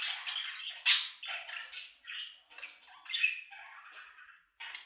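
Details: Budgerigar squawks and chirps in short bursts, opening with warbling chatter, one loud sharp squeak, then scattered scratchy phrases and a brief pause before a final call.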